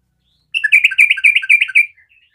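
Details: Sooty-headed bulbul singing energetically in 'garuda' style to draw other bulbuls into song: a single clean burst of about a dozen fast, rolling, bubbly whistled notes lasting under two seconds, trailing off into faint twitters.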